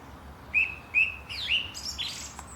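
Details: Morning birdsong at Langley Park, Durham: two clear whistled chirps, then a sliding note and a brief tangle of higher twittering.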